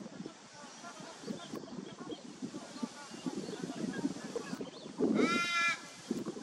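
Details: Torresian crow recorded on 8 December 2023, giving one loud, drawn-out nasal call with stacked harmonics near the end, over a steady low rumble of background noise and softer murmuring.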